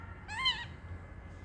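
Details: Oliver, a male pet parrotlet, bored on a warm afternoon and making funny noises, gives a single harmonic, nasal call that rises and then dips, about a third of a second long, over a low room hum.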